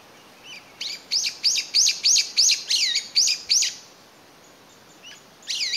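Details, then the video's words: Calling to find companions after becoming separated from its family, a lone Brown-eared Bulbul in May 2021 gives a rapid series of about nine shrill, down-slurred notes, evenly spaced, then a short pause and fainter notes. "仲間を探して鳴くヒヨドリ Brown-eared Bulbul"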